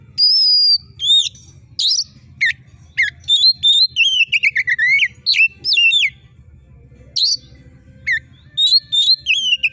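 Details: Oriental magpie-robin in full voice, shrill style used to rouse competition birds: a long high whistle, sharp downslurred notes, a rapid falling chatter of whistled chips, then scattered harsh bursts and quick upslurs.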